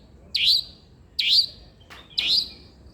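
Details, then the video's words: Long-tailed shrike, singing actively, gives three rasping downward-slurred notes just under a second apart, with a brief click between the second and third, intended to prompt a lazy shrike to call. "irama KICAU CENDET gacor"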